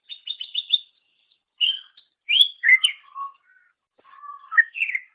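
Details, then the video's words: Cucak ijo, the greater green leafbird, singing as a training master for songbirds: a fast trill of repeated notes, then varied slurred whistles and low steady tones separated by short pauses. "Ocehan Suara Burung Cucak Ijo"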